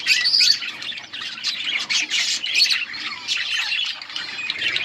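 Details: Budgerigars eating in a colony give harsh squawks mixed with rapid chirping and warbling, the flock noise dense and continuous throughout.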